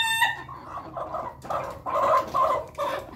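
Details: Ayam Ketawa chickens feeding together as a flock in a coop: a short sharp note, then a run of soft rolling clucks and chattering notes repeated every half second or so, with steady low background noise.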